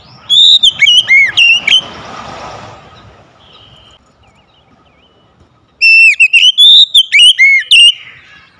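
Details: Oriental magpie-robin kept at home singing loud, clear whistled phrases in a quick burst, followed by a long near-silent gap and another rapid run of bright, sliding notes.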